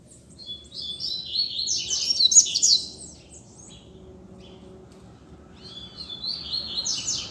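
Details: Double-collared seedeater at liberty on a street delivering teacher song: a loud, high, rapid twittering burst near two seconds, then a quieter, softer phrase toward the end, over low hum.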